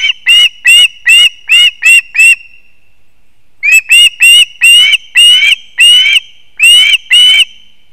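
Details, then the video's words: Osprey chicks at a nest in an old leaning pine in Kurzeme, Latvia, on 20 September 2024, as the father brings one of the last fish: loud, harsh, repeated piping calls in quick runs of about six notes, a short pause, then more. "МАЙЖЕ ОСТАННЯ РИБА ВІД ТАТА. СКОПА ГНІЗДО."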